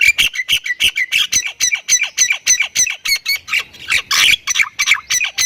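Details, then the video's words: Rapid full-fill song of a Thai-type Javan myna: a long, even string of harsh squawked notes, about three per second, broken near the end by a dense, noisy rasping flurry before resuming. "MERINDING DENGAR OCEHAN BURUNG JALAK INI || Jalak Kebo Thailand Gacor Full Isian"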